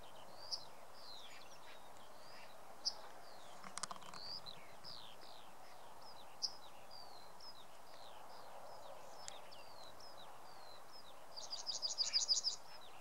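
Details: Yellowhammer in May 2016, Samara region: a quick, bright run of repeated high, thin notes near the end, over scattered chirps from other birds and a steady background hiss.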